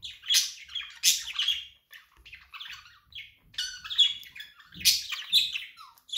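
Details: Pet budgerigar chattering loudly in harsh, scratchy squawks and rapid warbled notes, several strong bursts over six seconds with light background noise.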